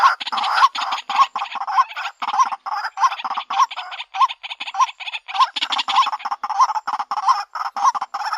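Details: White-breasted waterhen, a female seeking a mate, gives a dense, continuous series of coarse, throaty croaks, roughly two per second, loud and slightly uneven in rhythm.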